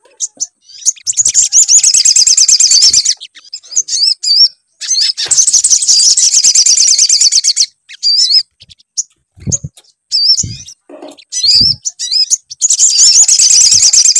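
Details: Sunbird song played as a lure to prompt singing: fast, high, sizzling twittered phrases in bursts separated by brief gaps, with scattered sweeping whistled notes and occasional low knocks.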